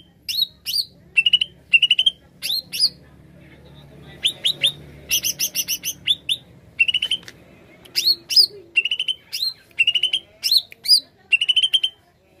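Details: Greater green leafbird song played to lure birds: bright whistled upslurs and quick trills of repeated high chirps, delivered in steady phrases, with a brief harsh buzzy burst midway.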